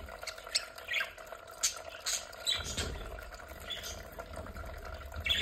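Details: Captive budgerigars eating their vegetables at home; scattered short high chirps and squawks in brief bursts over a steady background hum, with occasional low knocks.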